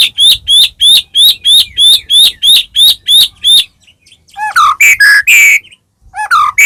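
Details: Loud white-rumped shama singing to goad a caged bird into song: about a dozen identical sharp, high notes repeated roughly three times a second, then richer, sweeping whistled notes after a short pause.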